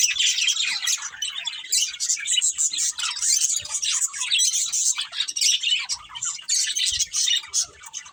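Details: Budgies of a breeding pair chirping in uneven bursts of scratchy, high twittering and warbled chatter, with short gaps between phrases and a few faint low knocks.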